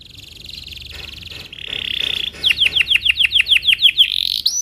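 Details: Morning song of a Belgian canary, rolled cuit-cuit phrases meant to tutor young canaries; a soft buzzy high trill grows louder, then gives way to a quick run of sharp descending chirps and a final rising note.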